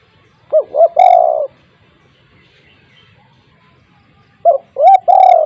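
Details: Spotted dove with a big voice for luring others: two short rising hoots then a long falling coo, the phrase heard twice in quiet surroundings.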